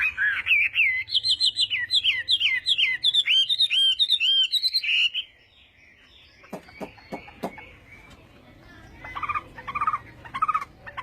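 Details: Chinese hwamei practising its morning contest song: bright looping whistled notes repeated quickly for five seconds, then a quiet gap with a few sharp clicks and soft distant chirps.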